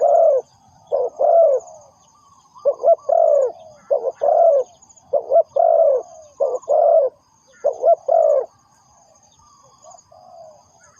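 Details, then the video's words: Spotted dove used to lure others into traps, giving a run of rhythmic coo phrases, short doubled notes each closing with a longer falling coo, then quiet for the last seconds apart from soft distant cooing. "The Sound Of Spotted Dove is good,Bẫy cu gáy bằng mồi trồn,เสียงนกเขาใหญ่,Suara Terkukur Pikat Tua"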